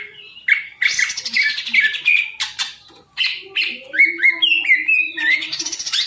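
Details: Caged green leafbird singing varied phrases: sweeping whistles, rapid chips and sudden buzzy bursts after a brief pause. A faint lower warbling voice runs steadily underneath.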